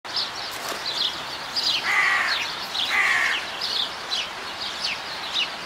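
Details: Himalayan monal at Zoo Leipzig, Germany: two harsh, buzzy, harmonic calls around two and three seconds in, over a steady background of many small birds chirping high and thin.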